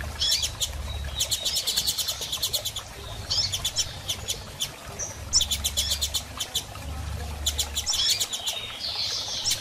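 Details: Female double-collared seedeater calling to stimulate a male to sing after moult: bursts of rapid, sharp high chips in quick trains, with brief thin whistled notes between, over a low steady hum.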